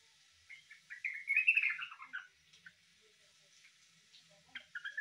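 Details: Yellow-vented bulbul (trucukan) singing in a way said to resemble the green leafbird (cucak ijo): a bubbly, warbling run of rising and falling notes peaking mid-phrase, then scattered chirps, over a faint steady hiss.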